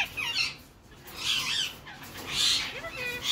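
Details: Captive male Indian ringneck parakeet, a Grey Edged mutation, courting his long-time female partner in spring: short harsh squawky bursts with a few bent harmonic notes, spaced irregularly and separated by quieter gaps.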